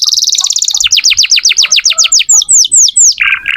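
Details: Singing canary, used as a prompt for young canaries or ones that have stopped singing: a quick high trill, then a series of falling whistled sweeps about four per second, ending in a lower buzzy note.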